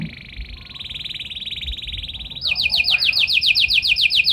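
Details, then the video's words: Canary singing with special phrasing to make other canaries reply: a steady buzzy trill building in strength, then crisp downslurred whistles repeated about four times a second. "Burung Kenari Gacor Nembak Joss Cengkok Istimewa! Buat Kenari Lain Langsung Nyaut Gak Pake Lama"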